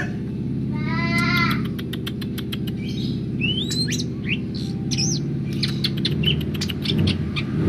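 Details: Greater green leafbird, a singing bird described as in full voice and ready to be taken out; bright whistled notes, a rising slurred whistle and quick chirps over a loud steady low rumble with clicking noises.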